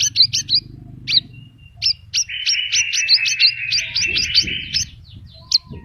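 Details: Horsfield's bush lark singing vigorously in gacor style, full of varied phrases: rapid sharp high chips about three per second over a sustained buzzy, reeling middle-pitched trill, with slurred whistled notes and low rumbling background noise.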